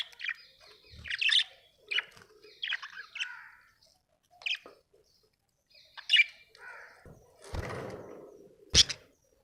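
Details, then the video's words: Happy pet budgie chattering: a loose run of scratchy chirps and soft warbled notes with short gaps, ending with a couple of sharp clicks and a brief rustling thud. "Happy budgie chirping sound"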